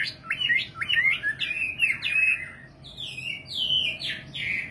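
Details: A nightingale sings rapid buzzy slurred notes in quick succession, then higher sweeping whistles stepping downward, loud and close with a faint hum beneath.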